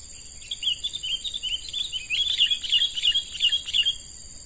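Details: Young wild-caught sooty-headed bulbul being trained as a lure bird: a rapid run of short, bright chirping notes, roughly three per second, over a steady high insect drone.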